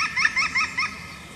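European green woodpecker giving four quick, ringing, slightly nasal notes at about five per second, then falling quiet; faint outdoor background.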